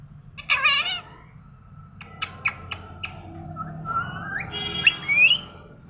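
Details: Morning talking parrot mixing a harsh warbled call, several sharp clicks, and rising whistled slurs toward the end, over a low steady hum.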